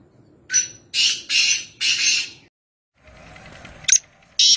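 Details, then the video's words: Near Nawabshah, a black francolin (kala teetar) gives four harsh, squawking notes in a quick rhythmic run. After a brief gap, faint background noise and two short sharp notes follow. "Kala Teeter | High Pitched Chirping Sound Voice | Francolin | Black Partridge"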